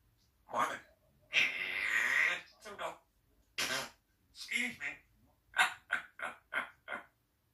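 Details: A pet African grey parrot talking in a home, saying its own name with speech-like phrases, then a rude noise and an apology; several short clipped words follow in a quick run near the end.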